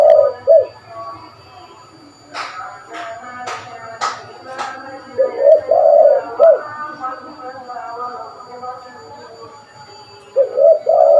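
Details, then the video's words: Spotted dove, a prolific caller used to lure birds, cooing in short deep phrases at the start, middle and end, separated by sharp clicking knocks and faint musical tones. "Burung tekukur gacor pas buat pikat burung"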